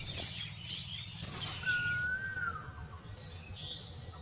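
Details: Asian koel singing in spring, heralding the season near flowering silk-cotton trees in Bengal: a single clear whistled note held steady then dropping slightly, over low rumble with faint higher chirps.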